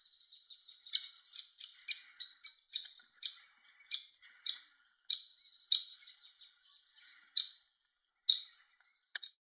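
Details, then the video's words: Woodpecker chick begging as the male brings food, giving a rapid run of high, clipped chirps that slows into single notes spaced about a second apart, with faint thin twittering between. "Hungry Baby Woodpecker"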